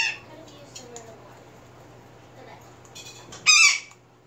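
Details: A tame male sun conure, a former stray, tasting and shredding greens gives one loud, harsh, rasping squawk after a stretch of quiet nibbling sounds.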